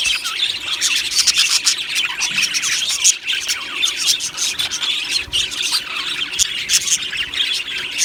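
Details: Aviary full of budgerigars chattering: many overlapping high chirps, short squawks and warbles form a constant busy din, with no single bird standing out.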